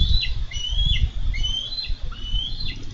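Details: Bald eagles wrestling over a carp at a Minnesota nest, 4 July 2013. Rapid thin whistled chitters, rising and then falling in pitch, follow one another closely against strong low wind thumps.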